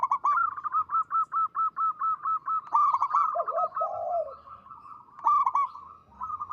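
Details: Local zebra dove (perkutut lokal) singing loudly and at length: rapid runs of short, even, hollow coos at a steady pitch, then a lower wavering, rolling phrase in the middle, with the quick coo series returning.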